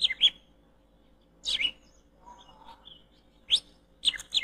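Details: Oriental magpie-robin heard during bird trapping: short, loud harsh chirps and whistled notes given in separate bursts about every one to two seconds, with near silence and a soft low hum between them.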